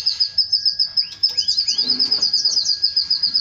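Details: Canary courting its female before mating: fast regular high trill of repeated notes, about six per second, with a few swooping upward-sweeping chirps mixed in.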